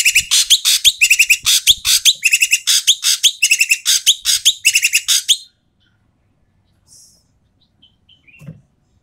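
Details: Noisy Asian pied starling, loud and coarse, its calls meant to lure reluctant starlings into singing: five seconds of rapid grating, rasping bursts with metallic nasal notes between, then near silence with a few faint distant chirps.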